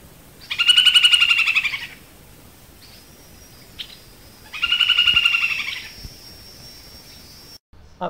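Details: Snail kite, presented as a caatinga bird whose song sounds like laughing: two harsh, rapid cackling rattles, each about one and a half seconds long, separated by a pause of about two and a half seconds.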